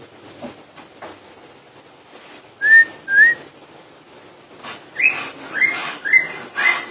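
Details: Common iora song: after soft rustling, two clear upward-sliding whistles, then a quicker run of four rising whistles with slight buzzy overtones.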